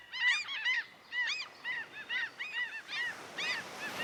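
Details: Gulls gliding in the wind by the sea, with pigeons nearby, give a rapid series of loud, harsh, arched cries, about a dozen in four seconds, each sounding strained and nasal.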